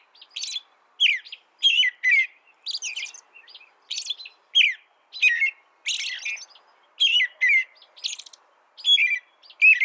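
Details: Steady American robin song: a long run of brief whistled, slurred phrases alternating with high-pitched squeaky notes, about ten phrases in ten seconds with short even gaps; nothing else audible.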